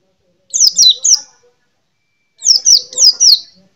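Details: Kept white-eye, a small yellow-green songbird, giving two short bursts of thin, high, downslurred chirps, three then four notes, with silence between.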